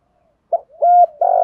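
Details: Spotted dove cooing in the 'gù thúc' style, male and female, meant to stir decoy birds: a faint breath, a quick note, a held hollow coo, then a buzzy coo cut short.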